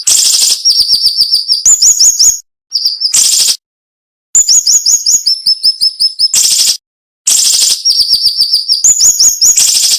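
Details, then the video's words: Dense, sharp cinnamon-bellied flowerpecker masteran song: loud rasping bursts alternating with fast strings of very high, thin, downslurred notes, separated by short silent gaps. "MASTERAN SUARA BURUNG SIRI SIRI NEMBAK TAJAM"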